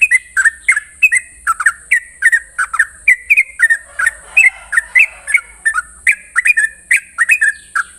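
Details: Sooty-headed bulbul in the morning, singing a long rapid 'ropel' style song: short liquid whistled notes, rising and falling in quick pairs about three per second, with a steady high thin hiss throughout.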